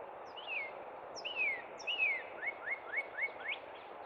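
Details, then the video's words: At Cub Run in spring, a northern cardinal sings three ringing whistles that slide downward, then five brisk upslurred notes in quick succession over a soft, constant outdoor noise floor. "Cub Run Northern Cardinal Song!"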